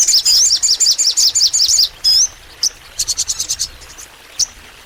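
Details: Crimson sunbird (sogon) in energetic long song: a rapid series of high twittering notes for nearly two seconds, a brief rising slur, then a quick burst of ticks.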